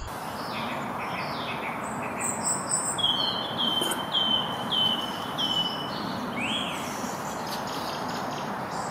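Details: In spring near a road in the New Forest, a singing song thrush repeats a clear whistled note four or five times in quick succession, with thin higher robin phrases and steady road traffic roar underneath.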